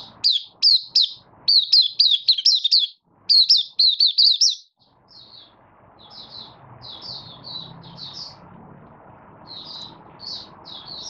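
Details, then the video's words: Caged Oriental white-eye of Malaysian origin, slight moult, 24 August 2023, opening song in development: a fast string of loud, high, zigzagging chirps for about four seconds, then scattered soft twitters over a low background rumble. "Malaysian Mata Puteh Buka Sing"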